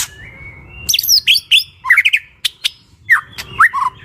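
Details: Chirping birds, relaxing compilation: a thin whistled note, then varied short chirps, quick rising and falling notes, a tight triple chirp and sharp clicks over faint low background noise.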